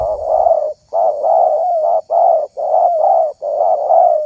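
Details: Spotted dove (terkukur) prized for its call in the hobby of luring doves; a close, loud run of long rolling coos, five drawn-out mellow phrases with barely any pause between them.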